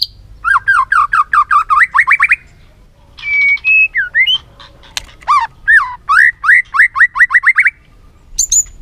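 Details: Varied song of a white-rumped shama, used as a trigger to train a bird to sing many phrases: fast runs of rising notes, a steady whistle, then more quick repeated rising notes and a final high chirp.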